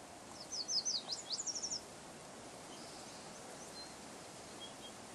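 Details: An Eastern kingbird at Nicola Lake, Merritt, British Columbia, on 25 June 2012, gives a quick, sputtering string of about a dozen sharp, high, electric-sounding notes over a second and a half, then steady background hiss.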